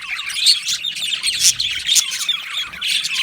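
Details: Aviary budgerigars from Australia warble in quick curling chirps and short squawks, several birds overlapping in bright, rapid chatter.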